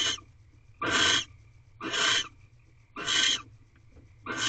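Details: Predawn barn owl mating in a nest box, 7 March 2023, 5:40 am: bright, hissing screeches of about half a second each, repeated about once a second with quiet gaps and a thin constant whine.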